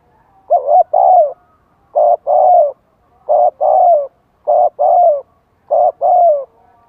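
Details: Spotted dove song meant to excite other birds into cooing back: five quick two-part coos in a row, a short clipped note and then a fuller, slightly falling one, repeated about every second and a quarter.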